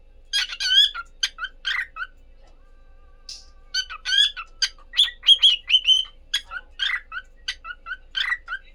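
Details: A cockatiel (Nymphicus hollandicus) couple chattering in quick, bright chirps and short warbled whistles, high and sharply repeated.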